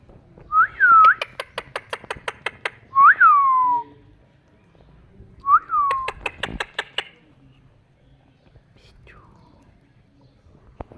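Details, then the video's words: Talking pet ringneck parrot gives three rising-then-falling whistles, each followed by rapid clicking pulses, then a soft fading whistle near the end in a quiet room. "Very cute talking parrot | Ringneck parrot"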